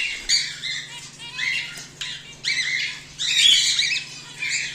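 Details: Captive home-bred cockatiels, whiteface emerald and exhibition grey male among them, utter a run of grating, raspy squawks in uneven bursts, the loudest in the second half, over a constant low electrical hum.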